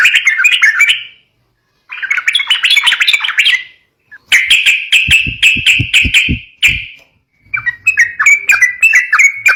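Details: Fighting-style yellow-vented bulbul song for coaxing young birds: bursts of dense chattering split by short silences, a middle stretch with low thudding knocks, ending in quick repeated chirps.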